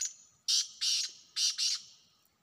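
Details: Black francolin calling in the wild, recorded in a hunting setting: a faint lead-in rasp, then four loud, harsh, buzzy notes in two closely spaced pairs that fade out in a ringing echo.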